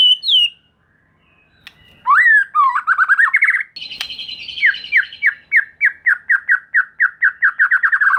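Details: White-rumped shama singing as a lure for young speckled birds: a high whistled note, a pause, then scratchy twisting phrases and a long run of quick descending notes repeated several times a second.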